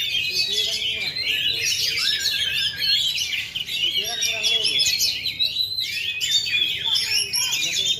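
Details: Oriental magpie-robin in a songbird contest ring, unmolted for 2.5 years yet singing at full power: long, dense medley of twittering and sliding whistles, with murmured human speech in the background.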